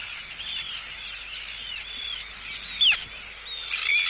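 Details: Arctic terns giving anxiety and threat calls at an intruder, recorded close up; scattered harsh calls near the same pitch overlap steadily, with a louder sharp call near the third second and another burst at the end.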